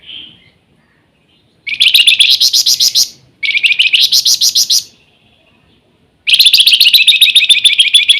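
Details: Flamboyan in energetic nyiul song: a soft opening note, then three long buzzy rapidly pulsed trills, the last continuing past the end.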